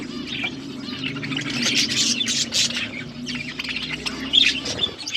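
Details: Budgies chirping during a meal: scratchy high warbling and a few clear tweets over a steady low hum, louder around the middle.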